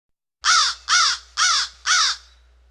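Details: A crow gives four harsh, hoarse caws in quick succession, about one every half second, with a faint low hum underneath and other birds faintly in the distance.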